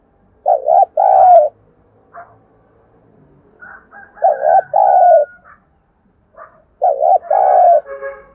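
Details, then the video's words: Decoy spotted dove calling to excite wild birds. Three two-part coo phrases, a brief wavy note then a drawn-out mellow one, come roughly every three seconds. Faint chirps from other birds sound between phrases. "Tiếng chim cu gáy mồi thúc bổi rất sung"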